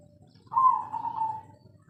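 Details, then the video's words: Spotted dove, local bird, kuk 3 song style: a single drawn-out, slightly falling coo lasting about one second over a low background hum. "Derkuku kuk3 lokal gacor ngamuk suara asli"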